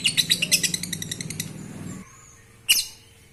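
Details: Lovebird chirping, played to stimulate breeding condition in other lovebirds: a fast run of sharp high chirps for two seconds, a pause, then one loud harsh chirp, over a low hum.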